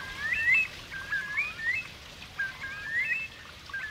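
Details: Eurasian curlews (Numenius arquata) circling overhead call with short, clear whistled notes that slur upward, several in quick succession over about four seconds, against a soft outdoor hush.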